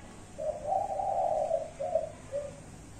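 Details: Five-note cooing of a spotted dove, 'cục... cu cu... cu... cu': a short opening note, a long blended coo, then two shorter fading notes, soft and low-pitched.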